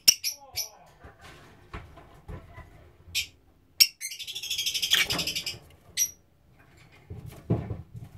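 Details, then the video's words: Black-cheeked lovebirds (green pied and blue) give sharp, high shrieks and a burst of rapid chattering, with low thumps and faint voices in the background. "Black Cheeked Lovebirds"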